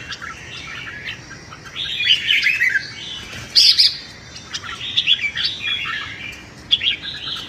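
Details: Red-whiskered bulbul singing at dawn to train its voice for contests, a run of bubbling warbles with a loud ringing note in the middle.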